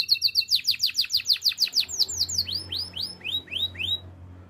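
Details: Canary song offered for training: fast trills of downward-sweeping high notes, first about six per second, then slowing to a series of arched whistled notes repeated about twice per second, with a faint low hum beneath.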